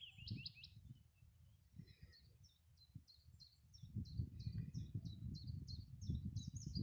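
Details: A willow warbler singing from close by on a windy day gives a run of soft, high, sweet notes, several each second, over steady low wind rumble.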